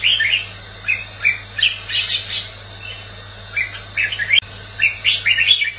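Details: Red-whiskered bulbul in competitive song, used to stir and train other bulbuls: bursts of bright, warbled chirping notes in short clusters with brief pauses, a steady low hum underneath throughout.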